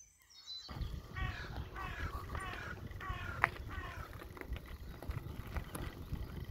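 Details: A crow at a Scottish loch, heard on a bike birding outing, gives a quick run of hoarse, harsh caws for a few seconds over steady low wind rumble and outdoor noise.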